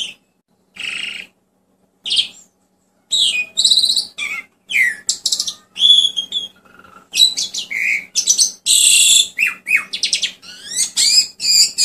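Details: Asian pied starling song: a few separated harsh notes, then a long busy stretch of varied whistles, buzzy rasps, squeaks and falling slurs in rapid succession, with a faint background hum.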